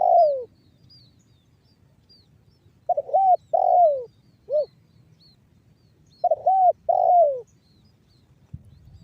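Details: Spotted dove, banggo bocor song type, used to prompt other doves to call and coo. A falling coo ends one phrase, then two complete phrases follow: stuttered notes, an arched coo, a long descending coo, and a short closing hoot. Faint high chirps sound in the background.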